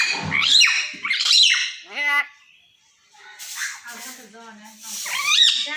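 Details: Pet common hill myna mixing loud, shrill whistled squawks with clear speech-like harmonic phrases, a pause near the middle, then softer mumbling syllables and a final sharp rising screech.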